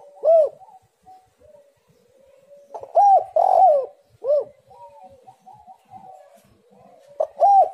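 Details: Spotted dove song used to lure doves into singing: a lone rounded coo, then a full phrase of mellow arched coos with a long wavering note, and another phrase starting near the end over faint background.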